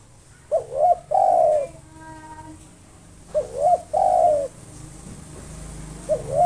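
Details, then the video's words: Local spotted dove singing steadily to provoke rivals: two coo phrases, each a short wavering double note followed by a long drawn, slightly falling coo, and a third phrase beginning; a faint thin tonal whistle sounds between them. "SUARA BURUNG TEKUKUR LOKAL NAFAS PANJANG GACOR NONSTOP MANGGUNG 7 MENIT COCOK UNTUK MANGGIL LAWAN"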